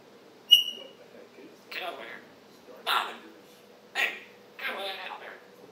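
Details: African grey parrot kept as a pet, chattering in the morning on 26 July 2021: one sharp, clear whistle, then four rough, talk-like bursts spaced about a second apart against a quiet indoor background.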